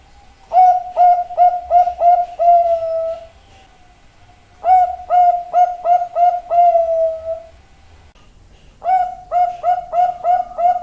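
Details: Repeated zebra dove song phrases, three bursts of quick staccato coos, each phrase closing with a longer sustained coo, separated by gaps of about two seconds of near silence.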